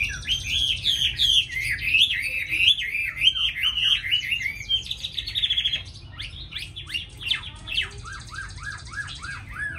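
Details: Caged tame Chinese hwamei from Hà Nội, a good singer, giving rich warbled whistles, then a buzzy phrase, followed by a run of short, quickly repeated downslurred notes, with a steady low hum in the background.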